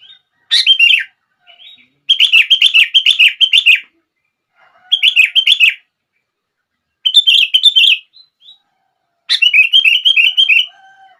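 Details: Sooty-headed bulbul singing to prompt other bulbuls to join in: five bursts of rapid, rolling chirps, some long and chattering, with short quiet gaps between.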